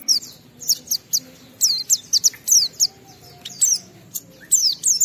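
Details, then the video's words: Oriental white-eye singing vigorously in the clear ngalas style, played as a lure to set other white-eyes singing: bursts of high, thin, rapidly slurred chirps, mostly falling notes, in short clusters separated by brief pauses, over faint low background hum. "Burung Pleci Gacor suara Jernih memancing Semua Pleci langsung ngalas"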